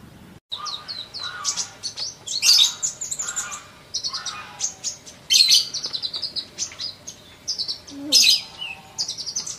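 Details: Sunbird, presented as a fast-singing masteran recording: bright, high chirps and twittering notes in rapid bursts, with three louder sharp, buzzy phrases at roughly three-second intervals; faint low rumble behind.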